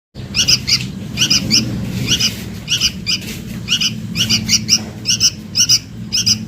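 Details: Sooty-headed bulbul chick calling its mother, used as a lure sound: short high chirps in pairs and triplets, repeated in quick bursts about every half second, over a steady low hum.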